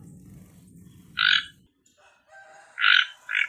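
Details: Toco toucan producing loud grating croaks: one near the start, then a pair close together at the end, after a low rumbling background drops away into near silence.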